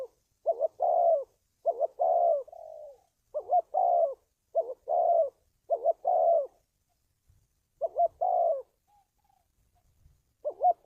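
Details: Cooing spotted dove used to lure wild doves when trapping: a steady series of short doubled notes each followed by a longer falling coo, about eight phrases with a brief pause partway through, background quiet.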